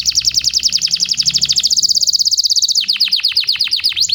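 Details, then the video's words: Canary singing: a fast, high trill of rapidly repeated notes, then a run of sharp descending chips, all bright and continuous. "Kenari GACOR"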